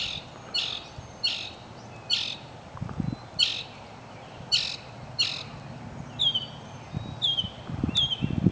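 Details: Singing mockingbird: harsh, raspy squawk notes repeated about every second, then a switch to clear down-slurred whistles, with occasional low background knocks.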